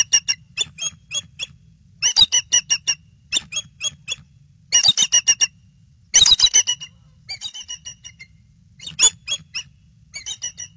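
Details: Bald eagles on alert at the nest in late February, late afternoon; the female stands and calls before flying off the eggs. Bursts of high, thin, rapid chattering notes in quick series, pausing between bouts, with a low steady hum beneath.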